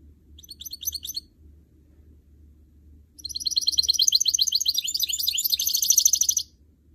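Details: Goldfinch mule, a canary crossed with a goldfinch, kept as a trained songbird: a short high twittered phrase, a pause, then a long rapid stream of trills and buzzy chatter lasting about three seconds.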